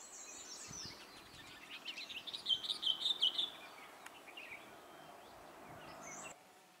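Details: Roadside near Sarahan towards Shimla on NH22, Himachal Pradesh, around 12:40 pm on 8 May 2014: a group of Himalayan bulbuls perched on a wire, one giving a quick run of bright, chirpy notes over a steady background hiss.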